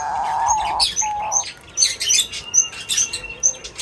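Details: Birds feeding, with short high chirps scattered throughout and a steadier mid-pitched whistled tone in the first second and a half, followed by faint rustling.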